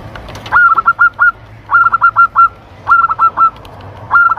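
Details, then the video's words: Zebra dove from Lampung, recorded as a clear lure and tutor sound to stimulate breeding: rapid staccato bursts of four or five short clipped coos, the bursts repeated about every second. "PIKAT PERKUTUT ‼️ Suara Jernih Ampuh Buat Pikat & Masteran Perkutut Untuk Merangsang Birahi"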